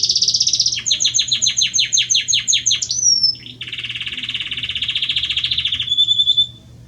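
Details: Singing hard for his female, a male Belgian canary delivers a buzzy trill, a long series of rapid downslurred notes, a rising whistle, then a smooth low rolling trill ending on a steady tone.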